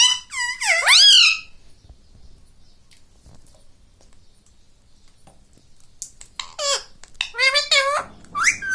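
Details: Talking pet green ringneck parrot: one loud, swooping, nasal phrase opens, a long near-silence follows, then a run of quicker, choppy, speech-like syllables at the close.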